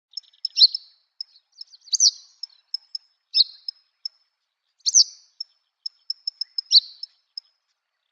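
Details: Eastern yellow wagtail singing on the Shimo-Sarobetsu wilds nature trail, Hokkaido, Japan: buzzy, downslurred high notes every second or two, with thin sharp ticks scattered between them.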